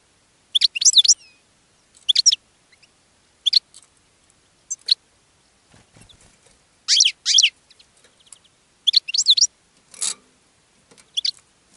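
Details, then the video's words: European goldfinch in a cage singing to attract other goldfinches: repeated bursts of high, twittering, liquid notes with brief gaps, plus a faint low rustle midway. "GOLDFINCH SINGING in a Cage and Attracting Other Goldfinches"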